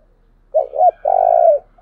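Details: Single urging call of a decoy spotted dove used to lure wild doves: two short, hoarse hooting notes, then one long, even, throbbing coo.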